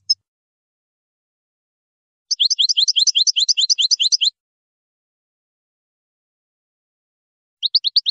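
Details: A European goldfinch gives a two-second, regular, rattling trill of rapid high chirps, with short chirp fragments at the start and end and silence in between.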